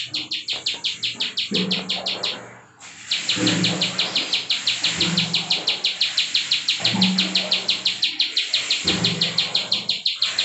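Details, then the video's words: Bar-winged prinia in 'klik' style, a tutor recording for cage birds, rapid high clicking notes about three per second, pausing briefly near three seconds, over a low murmuring background hum. "CIWAH PRENJAK KLIK PALING GACOR NGEBREN COCOK BUAT MASTERAN [ciblek sawah]"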